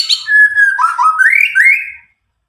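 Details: White-rumped shama of the Medan type, about nine months old and just out of juvenile spotted plumage, untutored, singing loudly to prompt silent shamas: clear whistled notes sliding from high to a level tone, then rising whistles.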